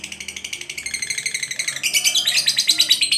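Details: Lovebird chatter offered for training pet birds: fast buzzy chirps repeated about three times a second, rising into a brighter, denser rattle halfway through, recorded in a small room.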